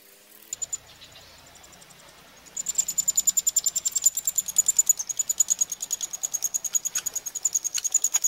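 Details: Eurasian wryneck chicks fed at Pribytki, Russia, 2 July 2018: after two quiet seconds, a loud, persistent series of high buzzy ticks starts, about three per second, over a thin steady whine.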